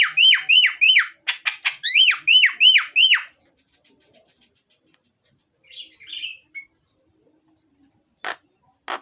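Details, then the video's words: Loud myna (jalak) song for stirring lazy birds to sing: a fast string of repeated sharp, whistled down-slurred notes with overtones in two bursts, then silence, a soft chatter and two dry rasps. "suara jalak gacor,isian dan keras, cocok buat pancingan jalak yang malas bunyi."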